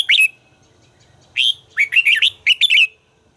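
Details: Red-whiskered bulbul singing during voice training: a short warbled phrase, a pause, then a quick run of bright, slurred whistled notes rising and falling, with a final trilled flourish. Quiet background.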